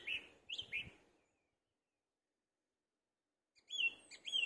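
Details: Song thrush singing from the top of a tree in a UK garden, giving two short bursts of bright, whistled, fluty notes separated by a few seconds of silence, over faint outdoor background noise.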